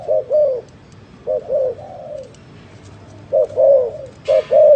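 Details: Spotted dove cooing: short paired hoots and longer falling coos in irregular phrases, with a brief hiss of noise near the end.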